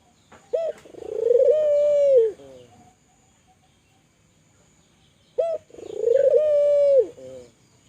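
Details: Spotted dove, Kelantan tekukur in full voice, calling to prompt other doves to call: two phrases about five seconds apart, each a short clipped note, then a long mellow coo and a brief closing note.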